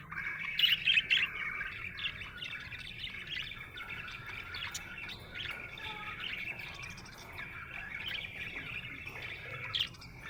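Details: Contented budgerigar chirping: a loud cluster of shrill chips early on, then a long, even run of soft, buzzy warbling chatter.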